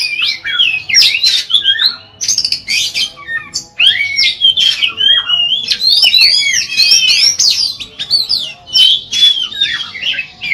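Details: Persistent Oriental magpie-robin song, used to prompt other magpie-robins to sing, with long clear phrases: continuous rich warbling of sweet whistles, up- and down-slurs and scratchy notes, nearly unbroken for ten seconds.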